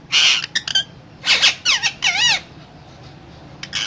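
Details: Parrot talking in harsh raspy bursts, then a run of wavy, warbling, voice-like syllables that swoop up and down, ending in quiet with one last rasp.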